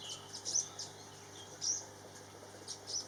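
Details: Female Ornate Sunbird, formerly called Olive-backed Sunbird, at a bird hide in Thailand where birds drink and bathe, giving thin, very high chirps, short and spaced about a second apart, over a steady low background hum.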